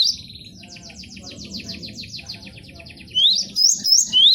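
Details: Cinereous tit (gelatik batu) tutor recording for caged birds: a long run of quick, descending buzzy notes, then loud, sharp rising whistles near the end over a faint low rumble.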